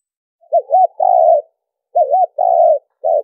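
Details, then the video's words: Spotted dove soft cooing used as a trapping lure: a wavy, trilling two-part note followed by a long mellow coo, repeated twice, then a short note; quiet background. "Mp3 cu gáy mồi kèm gù dùng đi bẫy"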